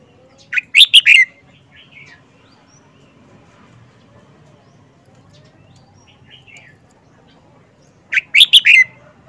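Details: Old wild-caught Red-whiskered Bulbul, caged and kept for four months, showing its distinctive song phrasing: two brief, bright, chirpy warbled bursts about seven seconds apart, with quiet low background hum between.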